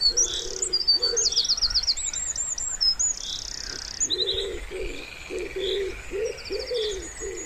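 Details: Soft, low, muffled coos from a wood pigeon at a quiet pond in spring, repeated in a steady run. Small songbirds twitter and trill busily at a much higher pitch throughout.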